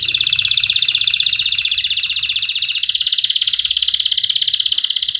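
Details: Canary song used to train young birds: a rapid, even buzzing roll of high notes, shifting partway through to a slightly higher, brighter rolling tour that continues steadily to the end.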